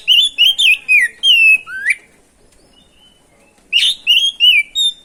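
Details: Lively oriental magpie-robin ngerol song played to provoke other birds; a rapid string of loud, whistled, downward-slurred notes ending in a rising sweep, silence for two seconds, then more quick repeated whistles.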